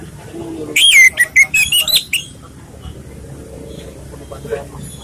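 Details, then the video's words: Relaxed song of an Orange-headed thrush, meant for luring other birds: a burst of bright, slurred whistles with fast up-and-down sweeps lasting about a second and a half, followed by quiet with low background hum. "ANIS MERAH bersuara santai/cocok untuk pancingan"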